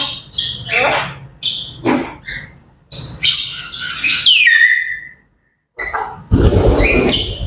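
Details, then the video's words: Grey parrots chattering in the morning: harsh broadband squawks, clicks and short whistles in uneven bursts, including a long falling whistle near the middle, then a brief silence and a loud, noisy, scratchy burst with high squeaks. "Grey Parrots Chattering and Bird Sounds to Wake Up to"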